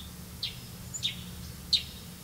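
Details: Grey-capped greenfinch that catches crickets to feed its young gives three short, high chirps spaced about half a second apart against a low, steady background hum.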